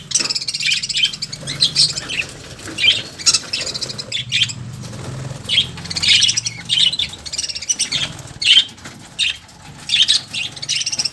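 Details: Several lovebirds chatter continuously in sharp, high-pitched squeaky chirps that come in quick uneven bursts, with a steady low hum underneath.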